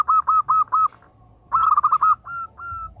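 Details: Female zebra dove calling to a male: four rapid, evenly spaced cooing notes, then a dense staccato burst of overlapping notes and three longer, steady, tonal coos at the end.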